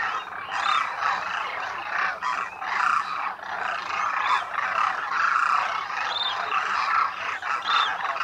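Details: Demoiselle cranes, called Koonj locally, wintering in thousands at a lake in Khichan, Rajasthan, India; a loud continuous chorus of rolling croaks, with occasional higher clear notes rising above the crowd.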